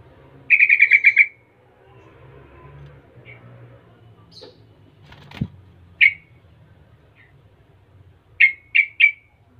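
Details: Yellow-vented bulbul, a prolific singer said to provoke other bulbuls into answering. An opening stuttered trill is followed by scattered single chirps, one sharp knock, and a closing group of three quick bright notes.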